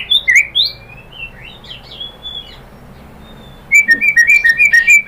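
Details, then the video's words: White-rumped shama song used as a lure to provoke other shamas into singing: a few clear whistled slurs near the start, a quiet gap, then a fast run of rich rising and falling whistles. "pancingan AMPUH‼️ MURAI BATU ikutan NYAUT GACOR BONGKAR MATERI ¦ PANCINGAN MURAI ¦ SHAMA BIRD"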